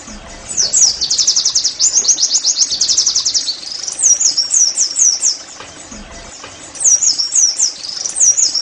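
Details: Oriental white-eye 'nembak' singing to encourage caged birds: a long, high, rattling trill of rapid notes, then bursts of slurred, swooping whistles separated by brief quieter gaps.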